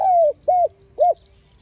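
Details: Close spotted dove calling and urging as a trapping lure: one long, gently falling coo followed by two short, rounded coos, clear and loud.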